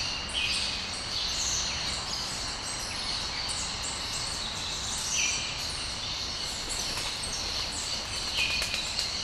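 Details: Dawn bird chorus in Brasília, Brazil, with a dense, continuous high twittering wash and a brief downslurred chirp recurring every few seconds.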